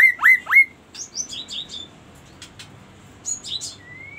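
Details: Singing magpie-robin opens with three loud downswept whistles, followed by thin high chirps and trills, finishing on a long, slightly rising whistled note.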